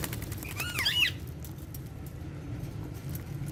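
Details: Pet Alexandrine parrots at play: one brief, harsh, harmonic squawk with wavering pitch, then background hum and faint rustling.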